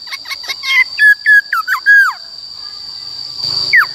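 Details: Black-throated laughingthrush in 'wild voice' song for training captive birds: a quick burst of short notes, then several loud level and down-slurred whistles, followed by quiet and one final rising-falling note over a steady high tone.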